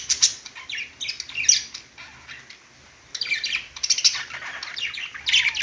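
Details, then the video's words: Perched budgies warbling in bursts: squawky chirps and high clicks, a quieter lull in the middle, then the chatter picks up again strongly. "budgies singing on perch"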